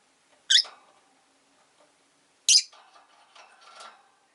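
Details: Rosy-faced lovebird kept indoors beside a window with another caged pair nearby; two sharp, loud, high squawks two seconds apart, followed by softer lower chattering and faint room noise.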